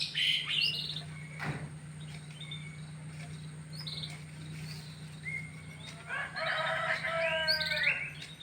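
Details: Pied (panda) canary and yellow canary together: scattered high chirps early, then a dense buzzy trill of stacked notes near the end, over a steady low electrical hum.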